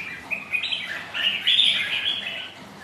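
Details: On a rainy, windy day, red-whiskered bulbuls spar as rivals; a near-continuous stream of clear, warbled whistles swoops up and down, loudest in the middle, with brief chirps at the start.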